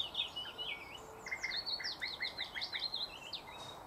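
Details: Singing thrush nightingale, 2024, bird-catching context: a rapid string of varied whistled notes and short slurred chirps delivered almost without pause, moderately faint above a hiss.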